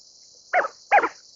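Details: Greater scaup uttering two quick, coarse, growling notes about half a second apart, with a faint high hiss behind.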